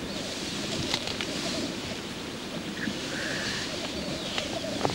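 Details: Lekking male black grouse in courtship display, a continuous low rolling, bubbling murmur over the whole stretch, with a short higher whistled note near three seconds and scattered distant calls above.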